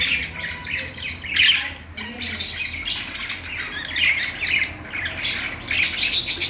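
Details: Budgerigar chirping: dense, scratchy high chatter in bursts that swell and fade, busiest around one and a half and five seconds, with a faint low hum underneath.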